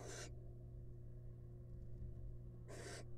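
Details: Wild barn owl at a monitored nest box, eating a large rat: two short, harsh, broadband hissing screeches, one at the start and one near the end, over a steady low electrical hum.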